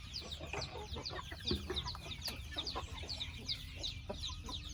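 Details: Dense chorus of chickens, with sharp high downward-sliding peeps in quick succession, occasional lower notes and soft taps, and a steady low hum.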